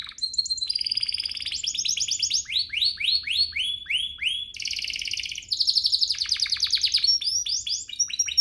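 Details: Song of a domestic canary, played to coax other canaries into singing: a long continuous string of varied trills, fast rising-falling sweeps repeated in runs, high buzzy rattles and sharp whistles, loud and clear.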